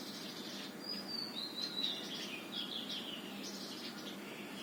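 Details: Sunbird at a house near Qutab Institutional Area, New Delhi, giving thin, high twittering chirps and short sliding notes in quick, irregular succession, with a faint background hum throughout.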